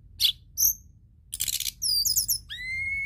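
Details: White-browed shortwing singing as a lure to attract other birds: separate high whistled notes, a harsh buzzy burst, a quick rippling trill, then a long steady whistle, with low background hum.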